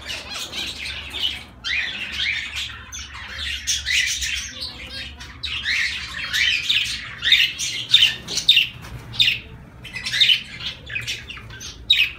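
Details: Zebra finches chattering continuously: dense, overlapping short nasal beeps and chirps, growing busier toward the end.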